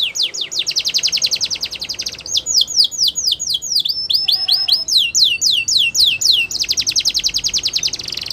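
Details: Canary in full song: rapid rolling trills of high clipped notes, a stretch of slower sweeping downslurred syllables, then a return to the fast rolling trill.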